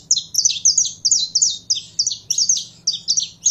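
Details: Saffron finch (canário-da-terra) in captivity, heated up for singing, delivers steady high, sharp double-noted chirps, each burst falling slightly, repeated about three times a second, with a soft low hum underneath.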